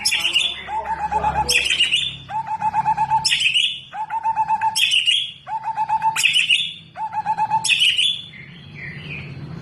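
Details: Powerful tembakan-and-isian singing from a kept white-rumped shama: six similar phrases, each a sharp explosive burst and a high whistle followed by a quick low stuttering trill, repeated about every one and a half seconds.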